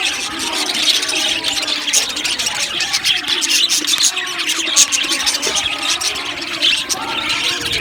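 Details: Australian budgie colony in an aviary, many birds chirping at once in a lively, unbroken high twittering with scattered sharper squeaks.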